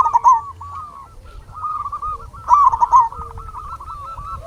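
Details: Lure recording of local zebra doves, played to make other doves answer. Strings of soft rolling coos overlap, with a short loud warbled phrase at the start and a longer bubbling one midway.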